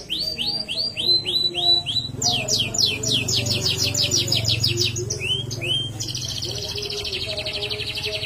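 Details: Caged domestic canary singing a vigorous song: rapid series of rising chirps, then fast buzzy trills at a high pitch, ending in a sustained rattling trill, with a low hum in the background.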